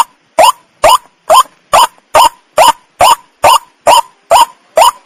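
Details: Harsh, grating calls of a white-breasted waterhen played as a night lure, evenly spaced at just over two per second, every note a short loud rasp, clean silent background.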